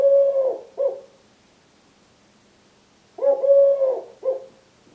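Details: Male Eurasian collared dove aged three sings his "please lay eggs" song to his mate while wing-tapping; low, hollow coos in a two-beat pattern, a drawn-out note and a brief tail note, with a quiet pause between phrases.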